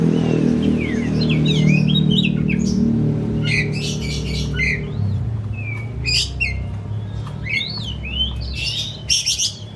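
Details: Home-kept caged oriental magpie-robin used as a singing lure: looping, warbling whistled phrases and loud harsh bursts, partly masked by a strong low droning sound that fades toward the end.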